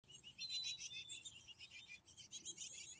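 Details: A banded female bird at the nest gives a thin, high whistled "feebee" call announcing herself to the male inside before they change places, over dense, high-pitched begging calls of chicks.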